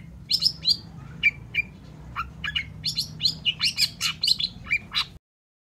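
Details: Long-tailed shrike singing gacor to draw replies from reluctant birds: quick bursts of squeaky, whistled and rasping notes, in clusters with brief pauses, ending abruptly.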